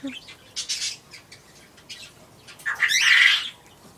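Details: Budgerigar giving a harsh, scratchy squawk after softer chattering notes, while riding on a quail.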